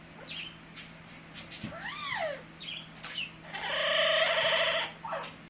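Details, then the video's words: Pet Amazon parrot making funny noises: short nasal squawks, an arching harmonic whistle-like call, then a long sustained harsh, buzzy tone lasting over a second, with a low steady hum underneath. "My Amazon parrot Hecko is making funny noises"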